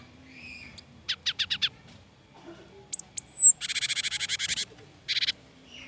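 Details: Frightened cinereous tit in a tutor recording: quick bursts of five clipped chirps, a thin rising whistle, then a loud harsh buzzy rattle of rapid repeated notes and a final short burst of chirps.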